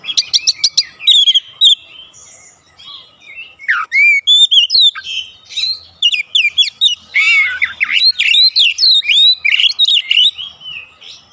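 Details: Oriental magpie-robin song played to provoke other birds at home: loud varied whistles, sweeping slurs and sharp clicks in quick jerky succession, with a burst of rapid buzzy notes at the opening.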